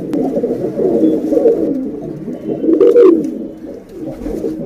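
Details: Lure call of a female pigeon summoning a male: steady low bubbling coos that rise to a louder throaty phrase near the end, then fade.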